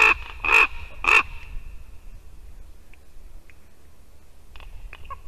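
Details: Raven visiting a white-tailed eagle nest in Latvia on a December morning, three loud harsh caws about half a second apart, then quiet with a few faint clicks and short calls.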